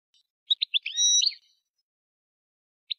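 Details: European goldfinch giving a few crisp, high chirps and a drawn-out nasal twanging note, then a pause and two more clipped notes.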